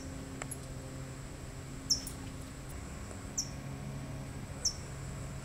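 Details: A California towhee guarding its chick utters three bright, piercing chips, each dropping slightly in pitch, spaced over a couple of seconds above a background hum.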